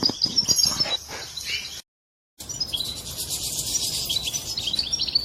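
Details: Goldfinch mating song, heard by a female that then takes the mating posture; twittering chirps, a silent break, then dense continuous high twitter with sharp thin notes.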